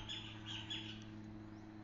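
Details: A caged Green-winged Saltator, taken out into the woods, sings freely and marks its territory, the only bird around, with three quick, bright whistled notes in under a second over a steady low hum.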